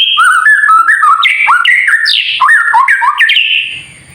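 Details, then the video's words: White-rumped shama delivering kretekan song to provoke other shamas: a chain of short whistled notes hopping up and down in steps, one high sweeping note midway, fading out at the end over a faint steady high tone. "KRETEKAN murai batu TERBAIK UNTUK MEMANCING EMOSI agar burung murai menjadi GACOR"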